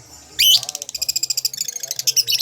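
A lovebird opens with a shrill rising squeal, then runs into a fast, buzzy string of high chips, roughly a dozen per second.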